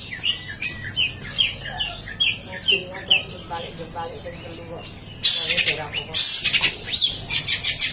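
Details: Long-tailed shrike in a cage, still singing while the cage is flipped around, gives a series of short, high, slurred chirps at an uneven pace, then harsh, loud rattling bursts break in near the end among further sharp notes.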